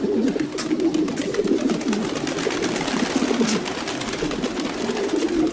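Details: Several domestic pigeons produce continuous overlapping low coos, a rolling, throaty murmur, with scattered sharp clicks and shuffling above it.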